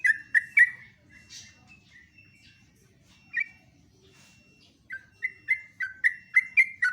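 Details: Sooty-headed bulbul singing in the morning: short loud bursts of bubbly, slurred notes in quick runs, a quiet pause with a faint thin steady tone, then a fresh run of rich chirping phrases.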